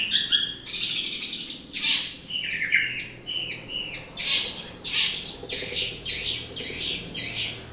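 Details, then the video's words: Morning singing by a long-tailed shrike: scratchy bursts, a stretch of quick varied warbled notes, then a regular series of harsh rasping calls. "kicauan cendet dipagi hari"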